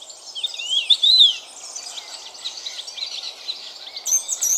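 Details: European robin singing at dawn as light enters a dense forest in spring: thin, high, sweet warbling phrases with quick rising and falling slurs, delivered steadily with short pauses and no other clear sounds.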